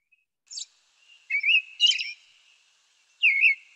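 American Robin giving sharp, high, squeaky call notes: a thin piercing note, then a burst of chattering squeaks and a final high squeal.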